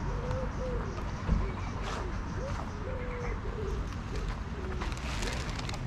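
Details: Greylag geese recorded at Pearson Park in Hull, England, on 22 August 2021 with a GoPro Hero9 give repeated brief honking notes, some level and some slurred, against constant low urban hum and a few faint clicks.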